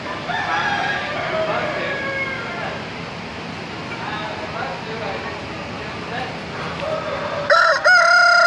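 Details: Chickens crowing at the Wilson County Fair, Tennessee: a dense chorus of overlapping crows and clucks, then one loud, close crow with a bright rising-then-falling harmonic line near the end.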